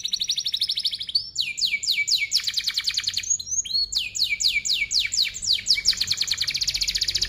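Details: Canary in full song, played as a lure for young canaries still learning their notes: dense rolling trills and repeated downward-sweeping chirps delivered almost without a break, ending in a rapid buzzy roll.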